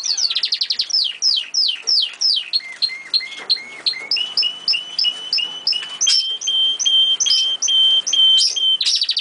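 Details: The owner's old pet canary sings a long run of rapid repeated phrases, starting with steep downward sweeps, then shifting to steady trills of short high notes.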